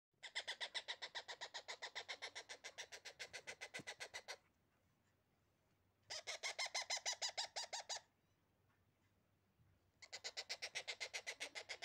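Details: Baby parrot: bursts of rapid, harsh, rasping chirps at about four per second, each run lasting several seconds and separated by short quiet gaps.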